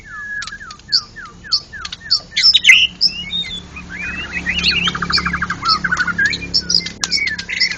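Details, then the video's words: White-rumped shama, a national contest champion, in ngeplong song. It starts with a row of identical downslurred whistles about three per second, then a rattling trill and a jumble of high chirps. "Murai Batu Ngeplong gacor Juara Nasional"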